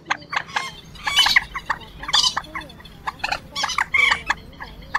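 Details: Quốc biển and trích ré, adult and young, used to lure birds into night nets in March 2024: loud harsh cackling bursts alternating with short piping notes in an uneven rhythm.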